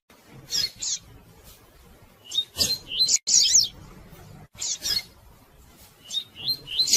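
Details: Calling female rusty-collared seedeater, meant to excite a male into singing: scattered high chirps and short rising whistles in separate bursts, some louder, with quiet gaps between.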